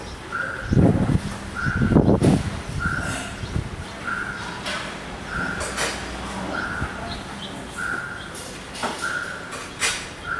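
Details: Red-vented bulbul parents guarding their 10-day-old fledgling, which landed on the ground on its first flight from the nest. Short, even mid-pitched notes repeat about every second, with rustling, thumping handling noise and outdoor background.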